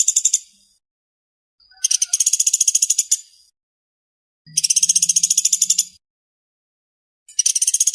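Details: Woodpecker giving fast, dense rattling calls: four bursts of rapid, evenly spaced ticking notes, each lasting up to about one and a half seconds, with silent gaps between them.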